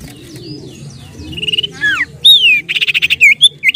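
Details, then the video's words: Common iora (sirtu/cipoh) played to lure birds: soft slurred notes build into loud rising and falling 'nyiull' whistles and a fast stuttering chatter of rapid repeated notes, ending in quick whistled slurs. "pancingan burung cipoh/sirtu gacor suara nyiull nyiull..."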